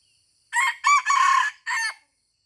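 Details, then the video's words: Junglefowl at Taman Rusa in Aceh, Indonesia, crowing during a luring (mikat) session; one harsh, buzzy crow in four parts: two short notes, a longer wavering middle phrase, then a clipped final note, about 1.5 seconds overall, quiet background. "AYAM HUTAN Aceh # Mikat di Taman Rusa"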